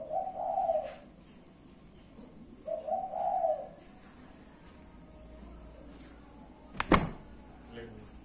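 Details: Kept spotted dove giving two soft, hollow cooing phrases about two and a half seconds apart, then quiet hiss broken by a sharp knock or click.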